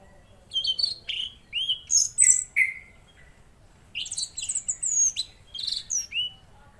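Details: Velvet-fronted Nuthatch singing actively, giving clusters of high, sharp whistled and chipping notes with quick slurs in two bursts.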